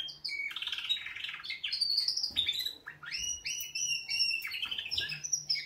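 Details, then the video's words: Wake-up song of canaries: continuous lively warbling of high whistles, trills and quick slurred notes, several birds overlapping with barely a pause. "Kanarienvögel Weckgesang |||Canaries wake-up song"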